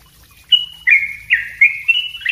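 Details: Sooty-headed bulbul song for training other birds: five short whistled phrases, each a sharp onset then a level held tone, alternating slightly higher and lower over two seconds; soft low hum.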